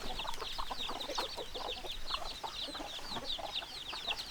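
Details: Hens clucking in a crowded flock, dense overlapping high chirps over steady lower clucks, a constant unbroken murmur of many birds.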